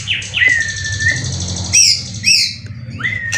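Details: White-rumped shama, a caged, prize-winning competition bird in Indonesia, singing with cililin material: sweeping whistles that rise then settle, separated by high bright slurs, with a steady low hum behind.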